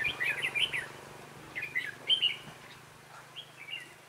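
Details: Red-whiskered bulbul, a novice decoy bird used for trapping wild bulbuls, recorded 11 December 2016; short warbled, chattering phrases in three bursts over four seconds, with a faint steady low hum behind.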